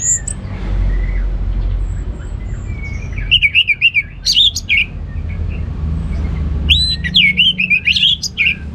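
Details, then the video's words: Ngeplong-style gacor song of an orange-headed thrush: quiet opening with soft distant chirps, then two loud phrases of fast, wavering whistled notes and sharp rising slurs, with low rumbling noise underneath. "Anis Merah Ngeplong Gacor"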